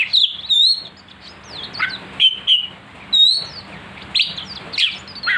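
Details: Sharp-voiced oriental magpie-robin (kacer) song used to provoke rivals: loud pure whistles, some held and some quickly rising or dropping, come in phrases separated by brief pauses, with harsh buzzy notes mixed in and a steady low hum behind.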